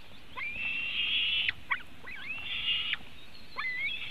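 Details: Latvian white-tailed eagle nest under webcam, afternoon of 24 June 2018, adult feeding the eaglets. High, sustained whistling calls in repeated drawn-out phrases, some ending in short rising or falling slurs, with faint background hiss.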